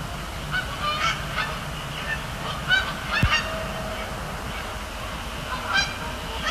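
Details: Several Canada geese honking on a Thursday night in October at Sapsucker Woods Pond, Cornell Lab of Ornithology, as flocks fly over and land; clustered harsh honks, then a pause, then more calls, over steady rumble.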